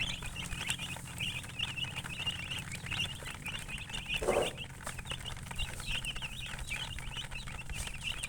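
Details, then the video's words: Chirping chickens, referred to as colour chickens, fill the recording with many rapid, high-pitched overlapping peeps, continuous and even, over a low hum with one short knock near the middle. "silly chicken chirping sounds with murgi hen color chicken"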